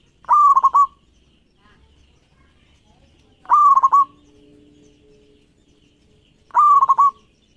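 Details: Singing local zebra dove recorded as a lure for other doves: three loud staccato cooing phrases about three seconds apart, tone broken into quick throbs, with a faint low steady hum between the second and third.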